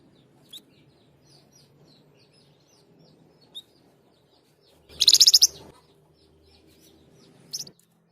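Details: Flamboyan bird lets out a short, intense flurry of rapid, high, buzzy notes, less than a second long. Faint chips and a soft hum sound around it.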